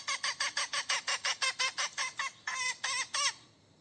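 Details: Hen calling for a mate: a rapid series of about fifteen harsh, loud clucks, steady then slightly slower toward the end, with bright harmonic tones; quiet background.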